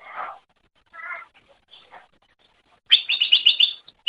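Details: Greater green leafbird training song: a few soft, harsh notes with pauses, then a loud rapid trill of repeated high whistled notes lasting under a second.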